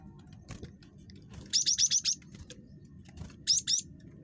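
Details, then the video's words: Cinereous tit, a highly chattery bird, used as a lure for other birds: a fast string of five high, bright notes, then a pair of similar notes, over a soft background rumble. "GELATIK BATU SUPER CREWET"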